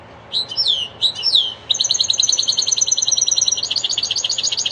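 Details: Goldfinch-style song from a linnet and canary hybrid: a few sharp downslurred high chirps, then a long, even, rapid trill of repeated bright notes that holds steady and quickens toward the end.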